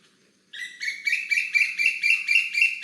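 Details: An Asian koel gives its contact or alarm call, used to warn others of something it is unsure of and made by females towards males: a fast, bright series of sharp 'kik' notes, about eight in two seconds, rising slightly.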